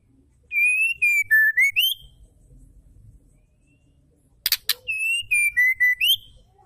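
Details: Female white-rumped shama calling to excite males into song: a clean stepped whistle that descends and then rises, a pause, a pair of sharp clicks, then the same whistled phrase repeated.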